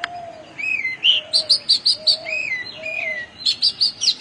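An Oriental magpie robin sings clear, varied whistles: drawn-out downslurred notes mixed with quick runs of bright, high chips, about three per second.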